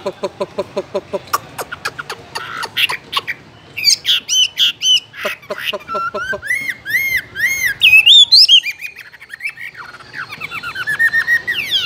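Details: Caged Chinese hwamei with a varied song: fast repeated harsh notes, then loud swooping whistles, arched repeated phrases and buzzy trills, with a few harsh squawky notes.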